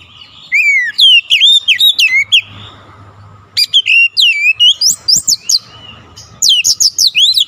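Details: Kacer, or oriental magpie-robin, singing persistently in three loud bursts of rapid, sweeping whistled notes and sharp slurs, separated by brief quieter pauses with a faint hum.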